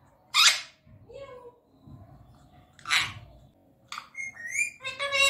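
An Indian ringneck parakeet utters short, scratchy speech-like phrases mixed with clear rising whistles, a few bursts over five seconds indoors.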